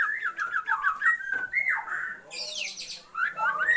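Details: Female Oriental magpie-robin calls to a male to raise his breeding drive, a wavering run of warbled whistles, a downslurred note, then a high falling squeal and more warbling whistles.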